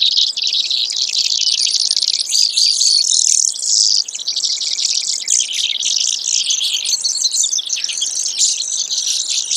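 Brewer's sparrow delivers a long, unbroken run of high buzzy trills and rattles that shift pitch and speed from phrase to phrase, with no pauses.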